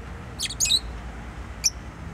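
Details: Pet bird calling with a quick pair of bright, high-pitched chirps, then one more sharp chirp after a short pause, over faint low hum.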